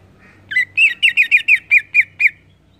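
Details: Greater green leafbird singing ngeplong: nine crisp, rasping notes in a fast, rhythmic series, gently falling in pitch, with a low hum in the background.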